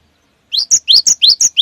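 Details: Brief, loud cinereous tit song for coaxing other birds to sing: after a short silence, quick alternating rising and high flat whistles in a tight wucit wucit rhythm.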